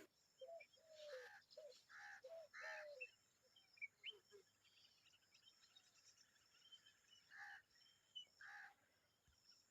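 Common babblers, an adult and young, give harsh, chattering notes in irregular bursts, mixed with lower squeaky calls, over a steady high insect hum.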